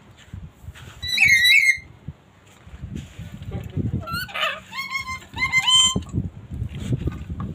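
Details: A red-headed lory from Ternate gives loud, harsh, nasal squawks, first a paired burst, then several rising and falling screeches, with low background noise and faint voices underneath.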